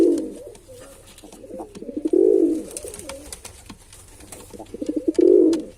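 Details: Deep, resonant coos from a male pigeon, a long phrase at the start, middle and end, linked by quieter pulsed murmuring.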